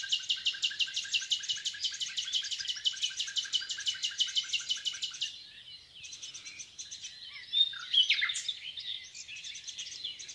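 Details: Wild common nightingale in the Rawka river valley, Poland, delivering a long fast series of identical loud pulses for five seconds, then softer varied twittering and a sharp rising flourish.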